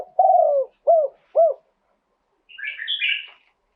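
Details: Live Spotted dove song in the two-kuk style: one long, wavering, mellow coo followed by two short arched notes, then a pause and a patch of high, scratchy chirping from other birds.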